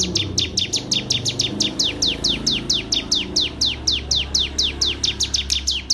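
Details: Singing FSL canary, Wonosobo, Indonesia: evenly paced, high, sharply falling chirp notes repeated about four times a second, a faint low hum beneath.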